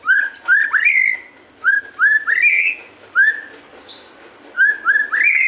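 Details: Repeated groups of two or three rising whistles from a white-rumped shama, each group climbing in pitch, with pauses between groups. The recording is meant to stimulate hesitant kept shamas into full song.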